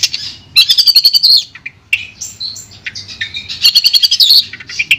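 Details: Long-tailed shrike of Madura, Indonesia, singing clearly: bursts of rapid high twittering and trills alternate with short whistled and buzzy phrases and brief gaps, loud and varied throughout.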